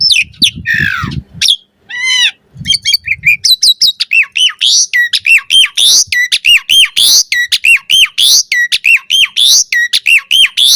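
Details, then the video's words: Asian pied starling giving a varied chattering song: a few harsh squawks and a descending whistle at first, then a rapid run of loud, high, clipped whistled notes repeated about once per second. "Suara Jalak Suren Full Variasi Ocehan"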